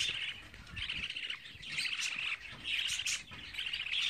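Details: Young pet budgerigars, 24 days old, producing loud grating chirps in quick bursts, several per second-long phrase, with short gaps and a couple of sharp clicks.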